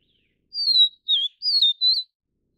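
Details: Feeding chicks, a Vivid Niltava of Taiwan's endemic race delivers four high whistled notes in quick succession, the second lower and twisting, the last rising slightly; no other sounds.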